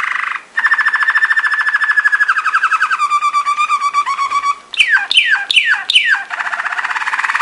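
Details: Waterslager song canary: a long even trill that slides lower and turns into a bubbling roll, then four sharp downward-sweeping whistles and a final steady trill.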